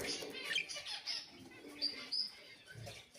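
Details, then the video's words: Budgerigar, kept as a home ornamental bird, warbling: quick high chattering notes at first, then two clear, short, high whistled notes a fraction of a second apart, over soft rustling. "اجمل أصوات تغريد البادجي"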